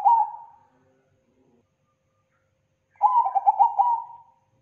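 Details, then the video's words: Zebra dove lure song, known locally as perkutut and called thick, loud and clean: the fading tail of one phrase, silence, then a full rippling series of quick cooing notes that tapers away. "Pancingan Perkutut Paling Banyak di Cari Kung Mania ( Tebal Keras Bersih )"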